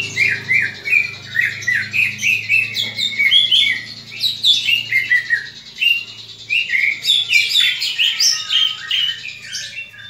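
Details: Leafbird fighting call from a greater green leafbird, for training other leafbirds to fight: continuous lively chatter of high whistled and scratchy notes in quick pulses, with a soft low hum in the background.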